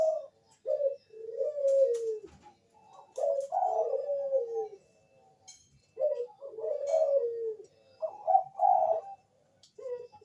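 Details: Bangkok-type zebra dove singing a lure song meant to prompt other doves: repeated phrases of soft gliding coos and quick pulsed trills, separated by short silences, with faint clicks in the background.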